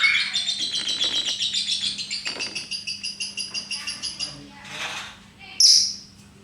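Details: Lovebird in ngekek, a rapid rattling chatter of high pulsed notes at several per second for about four seconds, then a softer rushing sound and one sharp squeak near the end.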